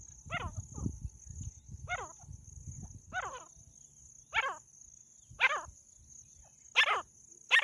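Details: A female jungle francolin gives harsh, rasping notes about once a second, growing louder toward the end, over a steady high insect hiss and some low rumble early on.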